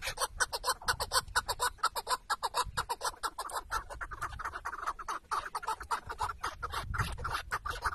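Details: Chukar partridge held as a tethered decoy during a hunt in Şırnak, Turkey: clear, rhythmic chuk-chuk-chuk clucking, evenly spaced pulses two or more per second, sustained throughout with little background noise.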